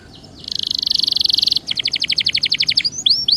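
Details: Belgian canary singing a dense buzzy trill, then a run of rapid pulsed notes and a couple of sweeping whistles, over faint background hiss.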